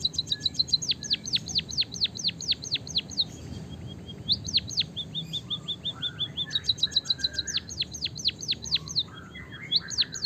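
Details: A white-headed munia sings with canary-style rolling fill, as stimulation for training munias: repeated rapid high notes flowing into long series of downward-curving whistles, two full phrases, with softer lower warbles between them.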